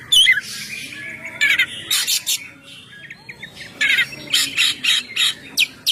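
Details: Kacer (oriental magpie-robin) in a ngeplong-style recording used as a lure, here giving mostly harsh, raspy bursts repeated at uneven intervals, with a few thin whistles between them.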